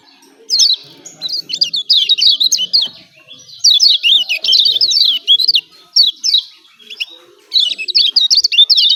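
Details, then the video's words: Excited 'ciak ciak' calling of a Lombok yellow white-eye, kecial kuning, a lure recording for birds reluctant to sing: dense runs of thin, high, zigzagging chirps in several fast bursts with brief gaps between them. "CIAK CIAK JOSS KECIAL KUNING AMPUH"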